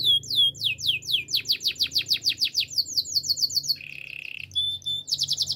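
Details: Training song of a Gloster canary: sweeping high notes speed into a rolling trill, then a low buzzy rattle, a clear whistle and a final bright rapid trill.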